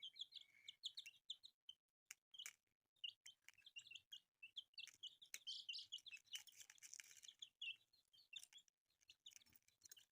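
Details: Group of newly born chicks, colourful, giving constant high peeps and chirps, overlapping short notes from many birds, a brief noisy rustle midway, faint low handling sounds underneath.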